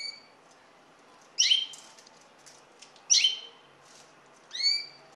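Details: Common linnet calls: three clear, brief chirped notes, the first two buzzy and twittering, the last a downslurred note, spaced about one and a half seconds apart in a quiet setting.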